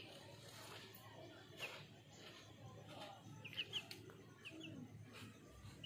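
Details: Desi (native) chicken chick: short, sharp high peeps scattered singly and in quick pairs over several seconds, faint against a low background hum, with soft rustling and a little muffled talk.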